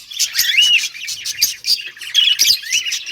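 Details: Budgies in a caged breeding colony give fast, high chirps and rising squeaky warbles, several birds overlapping in a lively chatter with tapping clicks.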